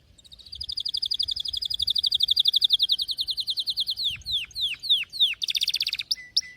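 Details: Canary singing: a long rapid trill of bright notes repeated about four times a second, then a few sharp descending slurred whistles and a fast buzzy burst at the end.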